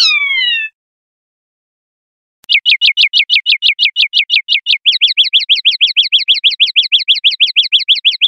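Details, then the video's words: Common linnet singing in the clean 'pardillo limpio' style, 2021/2022. A short falling whistle comes first, then a pause, then a long rapid trill of sharp repeated notes that speeds up partway through. No other sounds. "PARDILLO LIMPIO 2021/2022"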